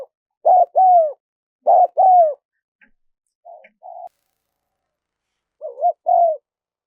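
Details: Spotted dove cooing, a recording used to lure wild doves: three paired coo phrases, each a short note followed by a longer falling coo, separated by pauses, with soft faint notes between them. The background is quiet.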